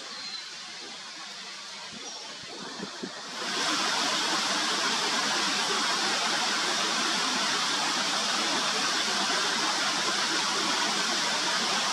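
Quiet background noise gives way to a steady, loud hiss like rushing water or wind, with no animal voice heard.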